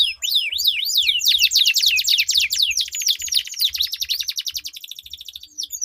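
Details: Two canaries duel in melodious long rolling song, used to coax silent canaries to sing: rapid downward-sweeping whistles give way to a dense, fast buzzy roll of repeated high notes, faint low thumps beneath.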